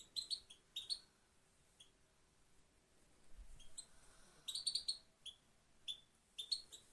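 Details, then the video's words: Female goldfinch kept in Quetta, singing quietly: short clusters of thin, high twittering notes in scattered bursts with silent gaps, a soft low thump midway. "Female goldfinch only one sound singing"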